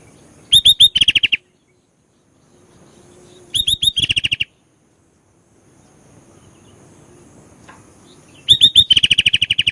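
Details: Lively kutilang, the Sooty-headed bulbul, in full gacor song packed with isian phrases: three bursts about three seconds apart, each opening with high flicked whistles and then a fast stuttering series of short repeated notes, with silence between.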